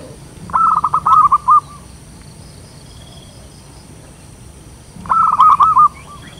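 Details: Zebra dove (perkutut lokal) with a loud voice, used for luring wild birds: one bubbling series of rapid hollow coos, a long quiet gap of about three seconds, then a matching series.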